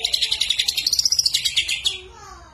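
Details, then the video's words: Greater green leafbird, a strong singer whose song borrows kapas tembak and lovebird phrases, delivering a quick run of about twenty sharp, high chipping notes in under two seconds that rise slightly and then stop. "Cucak Ijo Gacor Isian Kapas Tembak Sambung Love Bird"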